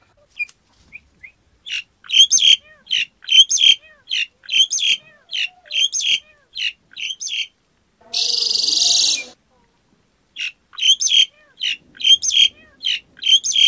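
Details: Black-collared starling delivering a long series of evenly spaced, rasping, squeaky notes, interrupted by a second-long hiss of noise, then continuing the same harsh rhythm.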